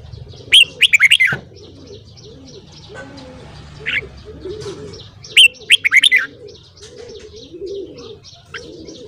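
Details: Red-whiskered bulbul morning singing for voice training: two quick phrases of sharp slurred whistles, while doves coo softly and steadily in the background and faint chirps are heard.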